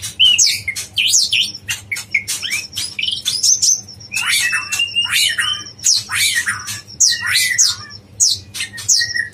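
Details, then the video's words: Yellow-vented bulbul, dacok blorok song style, recorded for training songbirds: loud, fast chattering phrases mixing downslurred whistles and bubbly mid-pitched notes, continuous with only brief pauses. "masteran konin dacok blorok"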